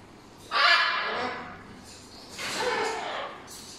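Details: Two pet macaws calling: two long, harsh, raspy screeches, each lasting about a second, separated by a short pause.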